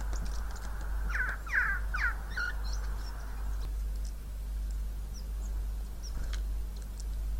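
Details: Wild Siberian jay imitating coughing: a quick burst of four short, harsh, rasping notes in the first two and a half seconds, then a quiet stretch with a few faint high chips over a steady low hum.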